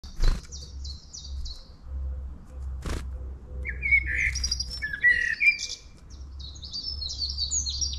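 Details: Long-tailed tit in town, giving quick runs of short, buzzy high notes in two bursts, joined midway by lower, slurred chirping phrases from another bird, with two sharp knocks and a steady low hum beneath.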